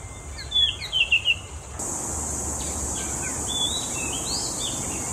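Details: Oriental magpie-robin in Singapore singing its own unique tune: a quick burst of twittering, warbled notes in the first two seconds, then softer scattered whistles and slurs as loud insect buzzing rises.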